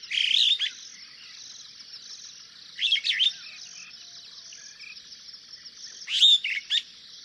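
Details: Superb starling giving short bursts of squeaky, warbled chirps roughly every three seconds, some with quick downward slurs, against a constant high-pitched insect drone.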